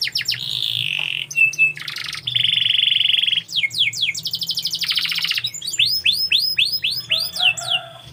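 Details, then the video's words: Varied canary song: long rolling trills, buzzy rattles and runs of quick clicks, then a series of bright curved whistled notes repeated rapidly; steady low hum in the background. "KICAU BURUNG KENARI"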